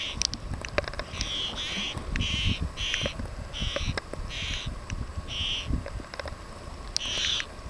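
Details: A pair of black-naped terns (Sterna sumatrana) filmed from the water at Bathala, Maldives, give a run of short, harsh, grating calls, about two a second, over a low rumble of wind or surf.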